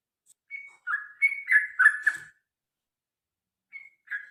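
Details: Yellow-vented Bulbul in long fighting song, used to make other birds sing: short bubbly whistled phrases, some rising, in a burst then a pause and two more notes.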